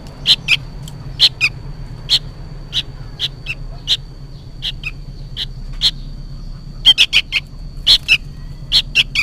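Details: Young sooty-headed bulbul calling for its parent: sharp, high chirps at a steady pace, quickening into rapid clusters near the end, with a low hum beneath.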